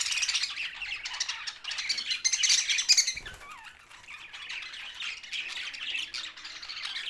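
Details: Budgies in Larkana, Sindh keep up a fast, overlapping twitter of chirps and squawks. A soft thump near three seconds precedes a short quieter spell, then the chatter swells again.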